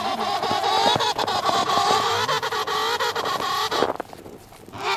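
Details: Emperor penguin met on the sea ice on a trip between Cape Evans and Cape Royds, calling with a long, rough, rapidly pulsing harmonic trumpet for nearly four seconds, ending in wind and handling noise.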